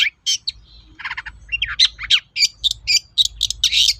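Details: Long-tailed shrike singing vigorously, used as a lure to make other shrikes answer: a rapid jumble of harsh scratchy notes, short buzzy bursts and sharp high chirps, about three per second and irregular, over a faint low hum.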